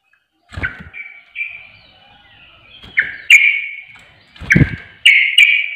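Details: Sooty-headed bulbul lure sound: scattered ringing chirps building to sharp, clicking double notes, with low thumps underneath at two points.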